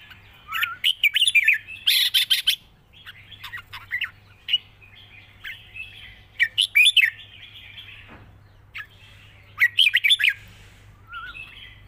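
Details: Long wild-style song phrases from a red-whiskered bulbul: repeated bursts of rapid, bright warbling with brief pauses, one harsh noisy burst near the start, and a steady low hum throughout.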